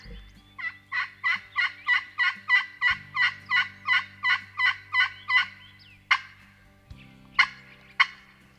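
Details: Wild Turkey in spring hunting season, a tom stopping on a hillside: a long run of about fifteen steady, raspy notes, about three each second, then three sharp isolated clicks and low background hum.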